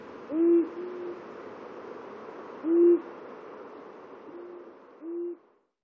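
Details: Two male long-eared owls (Asio otus) at the border of their territories give deep, soft single hoots, spaced a second or two apart, over a steady low background hiss.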